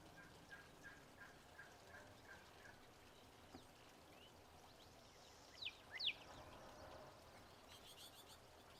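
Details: A Wilson's warbler at Ash Canyon Bird Sanctuary near Sierra Vista, Arizona, on 26 April 2024 gives two sharp, downslurred chip notes. Another bird's soft, lower notes come before them and a quick high trill follows.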